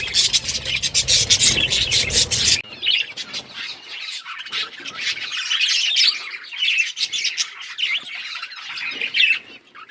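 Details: Breeding budgerigars chirping: a loud noisy burst for the first two and a half seconds, then dense overlapping high chirps, squawks and warbles from several birds.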